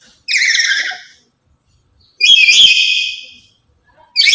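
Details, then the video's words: Highly vocal lory, active daily and used as a lure for other lories, giving shrill screeching calls, two long ones and the onset of a third, separated by silent pauses. "Inilah Burung Nuri Yang Paling Cerewet Dan Lantang"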